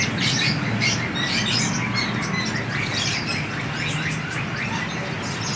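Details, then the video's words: Seven-coloured sunbird kept flying free, giving repeated sharp high chirps, about two or three a second and unevenly spaced, against a steady hiss. "hút mật 7 màu thả"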